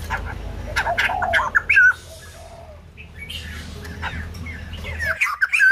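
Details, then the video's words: White-crested laughingthrush, young bird in voice training, giving a few loud harsh chattering bursts and short whistled notes early on, then quieter scattered whistles over steady low hum. "Khướu Đầu Bạc / Chim Bồ Chao / Ép Giọng Chim Non"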